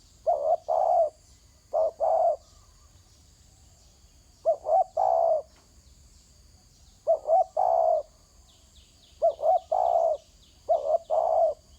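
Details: Repeated cooing from a spotted dove on the ground: about six phrases, each a brief doubled coo and a held mellow hoot. Some phrases come in quick pairs, and faint high chirps sound in the background.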